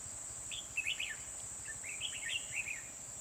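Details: Red-whiskered bulbul recorded during trapping with a decoy bird at Kim Boi, Hoa Binh, Vietnam, on 24 December 2020. Two bursts of quick warbled, chirpy notes over a steady high-pitched insect-like whine.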